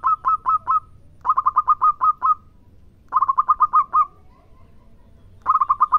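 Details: Zebra dove, local bird, in song: four short phrases of quick, bubbling coo notes, three to eight notes each, with pauses in between.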